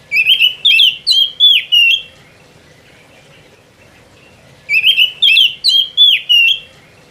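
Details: Oriental magpie-robin singing in full voice in the ngerol style: two bursts of loud, clear whistled and slurred notes, five or six quick phrases each, separated by about three seconds of quiet.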